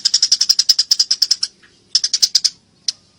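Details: Eurasian tree sparrow, fighting: a quick run of about fifteen sharp high chirps, a pause, then six more and a lone final note, crisp and loud.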